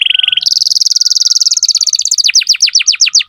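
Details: Canary song from a strong singer tutoring young birds: a brief low trill jumps to a fast high trill, which slows into separate descending whistled sweeps.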